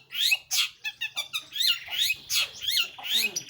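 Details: Long-tailed shrike delivering a rapid mix of harsh, nasal notes and short squeaky trills, several sounds per second, rough and varied in tone.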